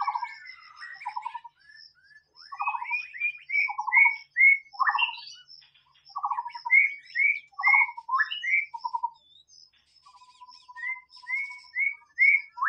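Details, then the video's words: Long song of a white-rumped shama in the wild, low buzzy pulsed notes alternating with short rising whistles at a brisk pace, a level held tone near the end, steady high ticking behind. "SUARA BURUNG MURAI BATU SUARA ASLI DI ALAM BEBAS"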